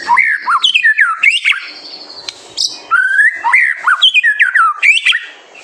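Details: Loud White-rumped shama master song to spur young birds into song: quick sequences of looping slurred whistles and sharp upslurred notes, repeated in dense bursts with little pause.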